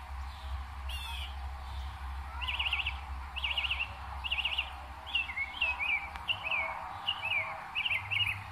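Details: Northern mockingbird in New Jersey in May, imitating other birds and sounds: a buzzy trilled phrase repeated three times, then a different slurred, dropping phrase repeated several times in quick series, over a low pulsing hum.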